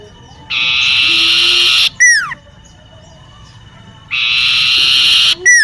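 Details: In a home garden, a common iora repeats its song twice: a long, even buzzy trill of over a second, then a bright whistle dropping steeply in pitch, with soft steady tones between phrases.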